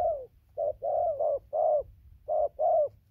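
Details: Newly caught spotted dove, recorded 15/11/2020, cooing nonstop from tree down to ground: low, hollow coo notes, some running together, about seven in three seconds, over a faint low hum.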